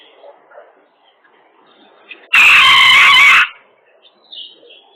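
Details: Chicken giving an awful, harsh screech lasting about one second, loud and raspy with a strained, buzzy tone, rising sharply out of near quiet, with faint chirping in the background before and after.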